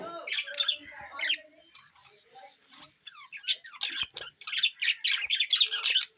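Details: Budgerigars on June 11, 2024 trade rapid, buzzy chirps and squeaks. A quieter stretch of softer notes leads into a fast run of loud, closely spaced chatter.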